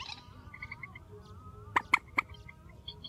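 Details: Grey-headed swamphen, a strong call among night bird recordings: a faint run of soft piping notes, then three loud, abrupt, harsh notes close together near the end, with steady low background hum.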